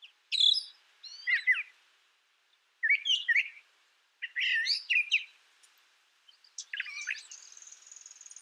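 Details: Brown thrasher's varied song of harsh, crackling, repeated phrases separated by pauses, ending with a thin sustained high whistle.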